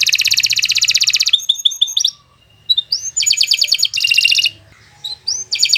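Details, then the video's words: Caged canary giving a long, fast master song meant to train other birds: a dense high trill, a string of quick clipped notes, a gap, then bursts of rolling metallic trills broken by sharp rising whistles. "Kicau Burung Kenari 135 II LUAR BIASA GACOR PANJANG Cocok untuk Masteran"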